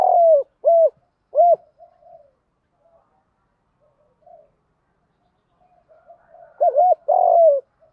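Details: Lure spotted dove cooing to provoke rival males, three short hollow coos, a long quiet gap with faint soft notes, then another phrase with a long drawn coo.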